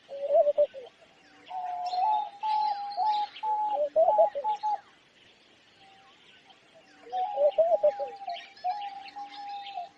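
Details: Homing pigeon producing two bouts of steady hummed tones mixed with tremulous lower notes, separated by a few seconds of near quiet. Bright chirps of other birds are heard above.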